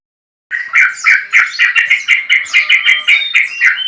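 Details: Male Yellow-vented Bulbul with a long crest calling a rival, used as a lure. After a short silence, a rapid run of bright chattering notes repeats about four times a second, each note bending up and down.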